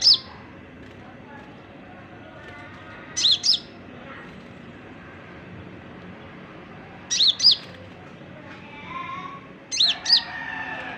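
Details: Konin, an oriental magpie-robin kept as a songbird, at an early singing stage: sparse clusters of two or three sharp high chirps several seconds apart, with a soft murmur and faint background noise between them.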